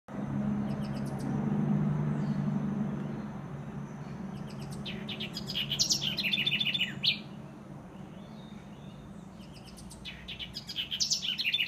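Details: House wren (Troglodytes aedon) in tropical trees in Costa Rica: two brief bursts of high, rapid, scratchy chattering notes, set against a steady low hum.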